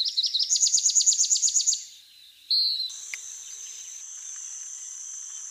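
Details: Rufous-capped warbler singing a quick series of high, sharply slurred notes for under two seconds. A short whistle and then a steady, high, thin buzzing background follow.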